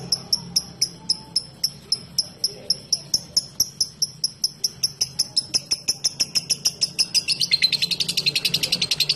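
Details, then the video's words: Lovebird giving a long ngekek trill: sharp, high chattering notes repeated several times a second, speeding up into a dense rattling run toward the end, with a faint low hum beneath. "LoveBird Ngekek Panjang"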